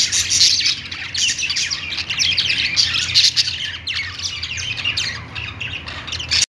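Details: Budgerigars singing on a perch, continuous squeaky warble with harsh chatter from several birds, cutting off abruptly at the end, low hum faintly underneath.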